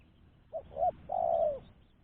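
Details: Single clear phrase from a spotted dove used as a lure for other doves: a short coo, a second short coo, then a long drawn-out slightly falling coo.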